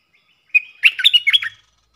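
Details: Wild bulbul from southern Thailand, a bird with a big voice that counter-sings to a caged lure bird but keeps its distance: one short, quick phrase of clear whistled and chirpy notes jumping up and down, about one second long, with a quiet background.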